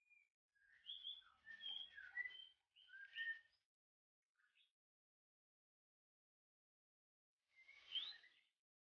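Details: White-rumped shama of Singapore stock with a very long tail, kept in a private collection, singing varied clear whistled phrases in a rapid run of notes, pausing, then a final burst, in a quiet setting.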